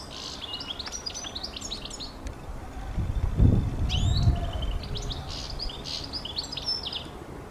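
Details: Rapid high chirping phrases from a European goldfinch, with a low rumble or thump in the middle and a steady background hum.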